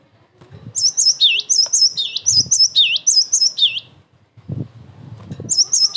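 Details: Cinereous tit song intended to trigger answers from other tits and to tutor young birds: a long burst of bright, high double notes with lower dipping ends, then a pause with low knocks before the singing resumes.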